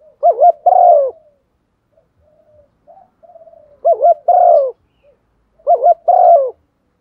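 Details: Decoy spotted dove calling to provoke other birds: three deep phrases of a quick trilled coo and a longer downslurred note, spaced roughly every two to three seconds, with quiet soft cooing between.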